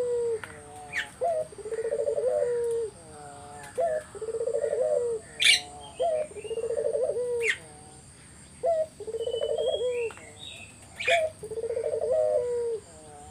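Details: Spotted dove lure song for getting other doves to respond: a steady series of about six phrases, each a short rising coo then a rapid rolling trill with a falling end, every two seconds, with sharp chirps from other birds.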